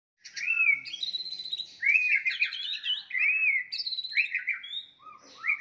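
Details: White-rumped shama fighting song meant to provoke rivals; loud varied whistled phrases, arched notes near repeated with buzzy high overtones, brief gaps between bursts.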